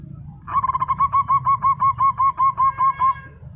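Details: Actively singing local zebra dove gives about fourteen evenly spaced, rounded cooing notes at a steady mid pitch, roughly five per second, over a low background rumble.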